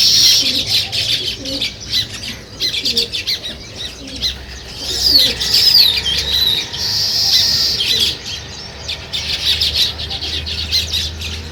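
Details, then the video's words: Morning chirping of sparrows by a nest site of weaver birds: a busy flock chatter of sharp, high chirps and squeaky notes in irregular bursts, with occasional wing flutters and a faint low hum beneath. "Sparrow Morning Chirping Sounds"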